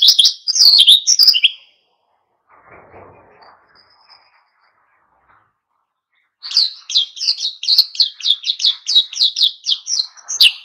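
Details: Oriental white-eye (pleci) singing energetically to stir other birds to sing; quick high chirped notes at the start, a faint low rumble, then a fast run of about a dozen sharp repeated chirps.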